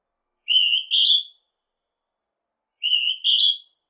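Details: Two calls from a Northern hawk-cuckoo, each a piercing paired whistle climbing from a lower note to a higher one, separated by about two seconds of quiet.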